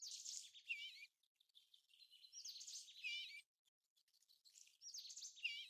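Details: American golden plover, a bird of Arctic tundra breeding grounds that migrates to South America, calling: wavering, warbled whistles repeated in short bursts about every two and a half seconds, over a busy background of high chirps from other birds.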